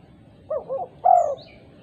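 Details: Single phrase from a female spotted dove calling to other doves, two short rounded coos then a longer, stronger drawn-out coo, with a faint high bird note at the end.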